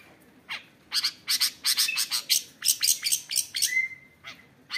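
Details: Long-tailed shrike kept in a cage, in full loud song packed with mimicked phrases: a fast string of sharp, scratchy high chirps, then a sustained clear whistle held near the end.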